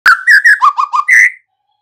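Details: White-rumped shama lure song used to coax young birds into singing fully and quickly: a short run of clear whistled notes, a sharp opening note, then falling slurred whistles and a final higher drawn-out whistle, over silence.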